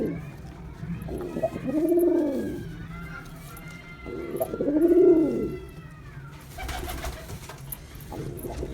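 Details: Two bold, rounded coos from a male pigeon about three seconds apart, with faint thin whistles above them and a burst of hissy noise near the end.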